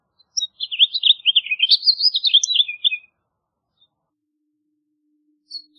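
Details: A singing house finch gives one rapid, jumbled warble of slurred up-and-down notes lasting roughly two and a half seconds, then falls silent apart from a brief faint note near the end.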